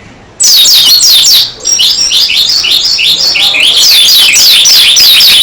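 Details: Dakun-type Oriental white-eye in vigorous gacor song with open beak, pouring out loud, high, fast chains of downward-slurred whistles and twittering trills almost without pause, a brief dip near the second mark.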